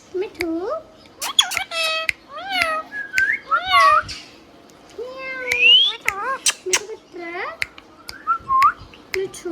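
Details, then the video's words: Hand-tame pet Rose-ringed parakeet indoors, talking in a mimicked voice: a run of short harmonic syllables, gliding up and down, mixed with whistled notes and a meow-like sound, repeated phrases with brief pauses. "Hand tame Parrot Talking video | Mithu Tote Ki Awaaz"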